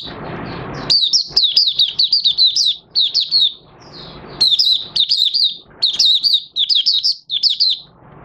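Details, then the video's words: Oriental white-eye in a cage, recorded 25 August 2022 following three months of sleeping with its cover open, delivering long chains of shrill, rapidly repeated chirping notes with brief pauses between phrases. "Mata Puteh Raja Buka Sing"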